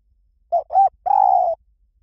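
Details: Spotted dove cooing in the Liw Tan song style, used to lure a dove and train it to coo back: two short, rounded coos followed by one long, steady, low coo, clear against a quiet background.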